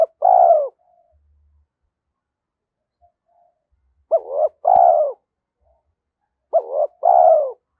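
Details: Challenge calling by a spotted dove used to lure wild birds, in the 'thổ' voice style. The tail of one phrase, a pause of several seconds, then two complete two-note coos, a short wavering note followed by a longer falling one.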